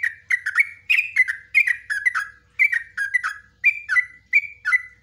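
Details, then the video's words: Yellow-vented bulbul, a cage bird singing a long 'ropelan' song in the clicking 'ngukliK ngecruk' style, recorded live to serve as a master for training young bulbuls; loud bubbly, liquid phrases repeated rapidly, about a dozen in five seconds. "TRUCUKAN ROPELAN NGUKLIK NGECRUK"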